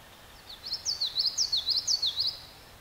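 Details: A common yellowthroat singing at Blendon Woods: a quick, high 'witchety-witchety-witchety', bright rolling phrases repeated about three times over two seconds against a faint outdoor hiss.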